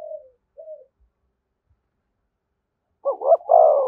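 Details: Spotted dove beside a decoy bird in 'thúc gù' style: two faint short low notes, a silent gap, then a single loud phrase of a stuttered pair and a long husky coo.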